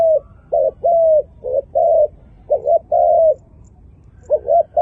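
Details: Low, mellow dove coos praised as a beautiful voice: short double notes alternating with longer sustained hoots, then a pause before a final pair of quick notes.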